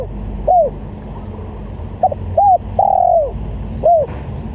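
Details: Spotted dove coo played as a lure, short clipped notes then a longer mid-pitched coo that slides downward, phrases spaced about a second and a half apart over a low steady background hum.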